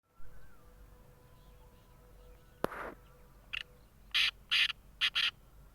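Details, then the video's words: Black francolin, named as the Sindhi nassal tetar, giving a short run of harsh, grating notes. A single sharp click comes first, then a series of rasping bursts that quicken toward the end over a faint steady hum. "kala tetar ki awaz boli - falgi tetar"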